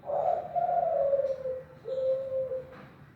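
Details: Kelantan-type spotted dove, a popular Indonesian cage bird, giving its anggungan cooing as a learning model for other doves: a long, low, smooth coo gently falling in pitch, followed after a short gap by a second, shorter level coo.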